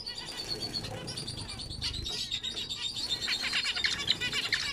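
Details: Zebra finch chatter: high buzzy notes and rapid squeaky chirps repeated about four times a second, overlapping as if several birds call at once, with soft low background noise.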